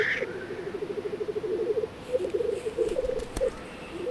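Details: Male black grouse at a lek on open ground in spring, Baikal region of Russia, fighting constantly: a continuous low bubbling, rolling coo pulsing rapidly in long trills, with a brief hissing note at the start.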